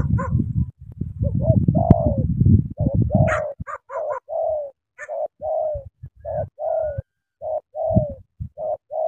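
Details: Spotted dove from Cà Mau, a vigorous cooer: after a burst of deep low rumbling, a long steady series of short mid-pitched coo notes follows, spaced roughly every half second, with occasional clicks.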